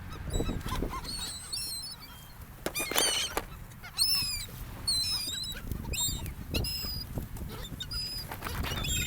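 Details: Gulls on a sandy gulf beach among people: frequent sharp, high, wavering cries and yelps from several birds, some overlapping, over a quieter low background of surf.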